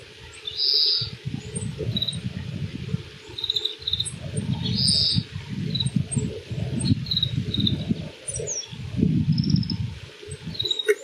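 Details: Oriental greenfinch in Yuzawa Central Park, 14 March 2026, varied spring song: two long nasal buzzes separated by short high twitters and chirps, against a heavy low rumble of wind or traffic.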